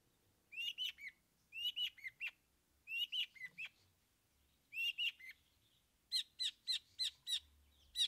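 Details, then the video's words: Captive trained long-tailed shrike bringing out mimicked song: clusters of three to five bright, high chirps in quick bursts, ending with a faster, even run of similar notes. "Cendet Bongkar 3 Isian"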